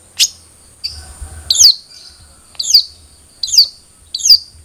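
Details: Long-tailed shrike calls played to encourage captive birds to sing: sharp, slightly harsh high notes given singly, roughly every second, with faint low rumbling between them.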